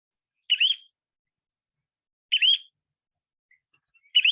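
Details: Semipalmated Plover giving a sharp, rising two-note 'chu-weep' (a loud, piercing 'two-weep', less piercing and quieter than a Killdeer's and identifiable even in flight overhead), repeated about every two seconds; high and clear against silence.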